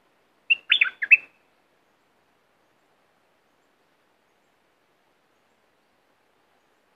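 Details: A short, bubbly whistled bulbul phrase opens, followed by long silence and the start of another note; southern Thai song played to rouse birds for trapping.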